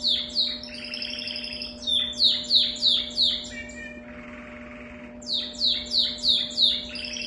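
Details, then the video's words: Canary singing a different style of song, series of sharp, descending whistled syllables repeated rapidly, a buzzy rattling passage and a short rushing break midway, then more quick repeated notes; low constant hum in the background. "canário com canto diferente"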